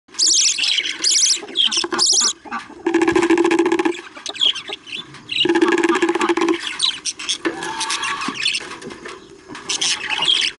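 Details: Baby budgerigars: loud, raspy, buzzy chattering calls in long overlapping bursts, with squeaky higher notes between them and brief pauses.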